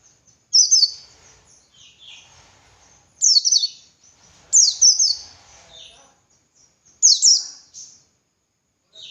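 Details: White-eye in ngalas song, played to train other birds: short bright bursts of high descending chirps spaced by a couple of seconds, with softer lower chips and faint background rustling between them.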